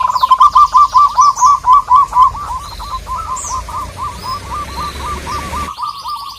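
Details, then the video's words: Local zebra dove calling out a rival: a long, steady chain of clipped cooing notes, loud at first then softer, about two per second, with a faint high whistle and background hiss. "Perkutut lokal gacor memanggil lawan, burung kutut manapun langsung NGAMUK"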